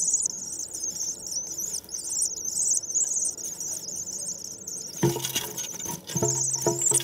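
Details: Common swifts, arrived 9 May, give shrill, buzzy, very high screams running almost unbroken; toward the end a low hum and some knocking sounds join in.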